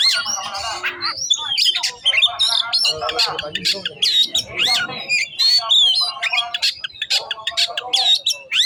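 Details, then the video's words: Kacer, the oriental magpie-robin, pouring out a dense, loud medley of whistled slurs, harsh squawks and rapid chatter, with little break between phrases. "Kacer Bongkar isian"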